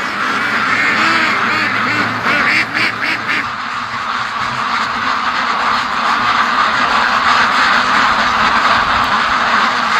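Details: Free-range ducks, a flock of more than 650, making their everyday rush to the lake and home, 2014. Quick repeated quacks, clearest in the first three seconds, then a busier, fainter chorus beneath gusting wind.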